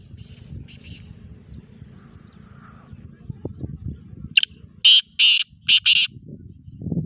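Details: A black francolin, a sindhi teetar, delivers a harsh four-note phrase of loud buzzy bursts introduced by a sharp click; fainter distant bird notes and steady low background rumble precede it.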